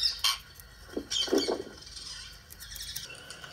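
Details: Rose-ringed parakeet recorded on 26 April 2024: harsh, loud squawks opening the recording, followed by a lower rasping squawk near one second and then softer scratchy notes over a faint background.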